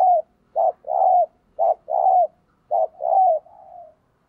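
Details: Kept spotted dove used as a lure, cooing in the thúc gù manner: three phrases in quick succession, each a short low note and a longer rounded coo, ending on a soft trailing note.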